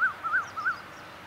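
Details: A Eurasian wryneck, a migrant wintering in Thailand, gives three quick, nasal, slightly arched mid-pitched notes evenly spaced within a second, over a faint hiss; recorded in Sansai, Chiang Mai, Thailand on January 31, 2015.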